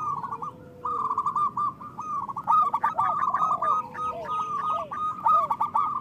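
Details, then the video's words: Zebra dove of local stock with a big voice, used to lure wild doves and prompt silent ones, gives a continuous chain of bubbling, trilled cooing phrases, slightly varied in pitch, almost without pause. "Perkutut lokal gacor Suara Besar Pancingan Untuk Pikat dan Malas Bunyi"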